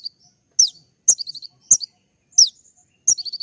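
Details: Kolibri ninja, a sunbird, singing its sharp 'tembak' song for master training: short bursts of high piercing chirps and quick downslurred notes, each burst followed by brief stuttering twitters, repeated roughly every half second with short silent gaps.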